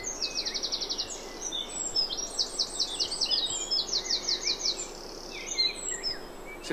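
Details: A wren sings about five or six metres into undergrowth on a morning in the Chafford area, Thurrock, probably facing away: a loud, explosive song of very high, rapid trills and rattling note runs poured out without pause, over a faint low rumble.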